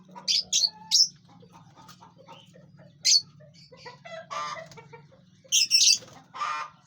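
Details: Chirping lovebirds in a large aviary while eating and flying about; three quick piercing chirps open, then scattered faint notes, and a cluster of shrill overlapping chirps near the end over low background hum.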